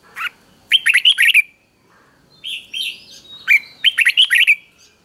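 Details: Doubled three-syllable song of a caged red-whiskered bulbul in the counting style, for young birds to learn; brief note, lively warbled phrase, softer high chirps, then the warbled phrase repeated.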